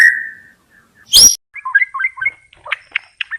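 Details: White-rumped shama: a held whistled note fading out, a sharp harsh burst, then a string of short clear whistled notes and chips spaced apart.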